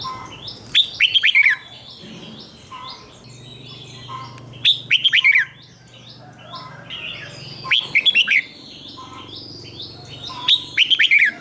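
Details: A doubled song of the red-whiskered bulbul, meant as a model for birds to copy. Four quick, ringing, bouncing whistle phrases repeat about every three seconds over soft background chatter and a low hum.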